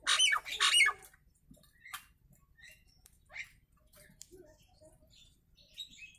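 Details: Nias hill myna: two loud, rasping screeches open the passage, followed by scattered soft chatters and short whistles.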